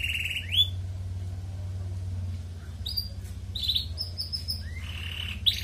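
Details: Ngerek song of a red canary, used to encourage breeding in colony-kept females: rolled buzzy trills with quick rising whistles and short chirped phrases, over a constant low hum.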